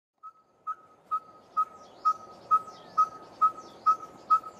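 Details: Red-fronted Tinkerbird (Pogoniulus pusillus), often heard on hot mid-summer days, repeats a monotonous, clear, even-pitched 'tink' a little over twice a second, with faint higher chirps from other birds behind.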